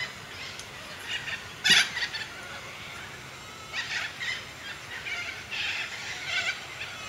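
Harsh, raspy screeches from a cockatoo: one loud burst, then several quieter grating calls at irregular intervals over a faint hiss.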